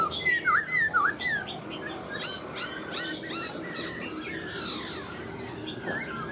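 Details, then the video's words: Caged wild-caught Black-throated laughingthrush opens with two loud V-shaped whistles, then a jumble of quick high chirps and squeaky notes, fading to softer calls amid background bird chatter. "Khướu bạc má mộc dở chim già rừng, hót tốt giọng hay"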